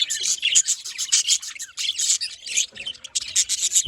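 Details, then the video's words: Budgies chattering with harsh, scratchy rasping chirps and squeaks in rapid pulses, a loud scraping thump right at the end. "happy budgies parakeet budgies"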